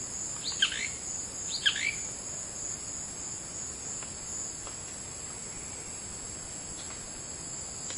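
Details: A male Blue-crowned manakin (Lepidothrix coronata) calling from a perch in his territory gives two short, buzzy, trilled notes about a second apart, over a steady high hiss of insects.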